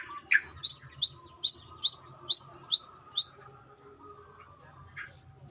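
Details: Seven loud, sharp, upslurred chips from a female brown-throated sunbird calling the male, evenly spaced, then a pause and one soft note.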